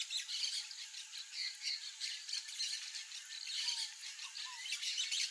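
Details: Wild peach-fronted parakeets (Eupsittula aurea) giving harsh, grating squawks in irregular bursts, several overlapping, with a short thin rising note near the end; steady high hiss in the background.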